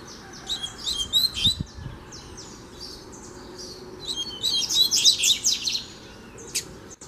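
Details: A free-flying double-collared seedeater comes close to confront a caged one during training, singing rapid, high, twittering phrases in two bursts, bright chirps and short trills tumbling quickly; faint low thumps and background hiss.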